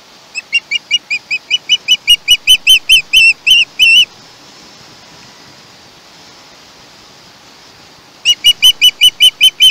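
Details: Chesapeake osprey nestling, recorded 21 August 2019 on a live nest camera, calling in a rapid series of about twenty shrill screeches that lengthen as they go, then falls silent for four seconds before another fast burst begins.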